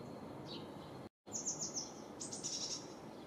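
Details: Great tit on 6 April gives high, bright two-note phrases repeated quickly in short bursts, over a steady rushing background hiss.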